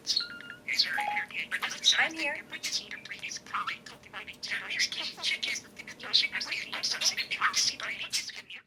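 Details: A pet budgerigar taught to say "I like tacos" (which sounds like "Takis") and slowly learning "This aggression will not stand, man" chatters rapidly in a high, scratchy warble of squeaky, speech-like phrases and chirps, with faint electronic beeps in the room.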